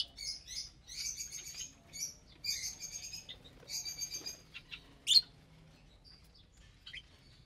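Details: Pet lovebirds chirping during morning mealtime: soft, fast twittering in short clusters, one louder sharp squeak, then sparse faint chirps over a low background hum.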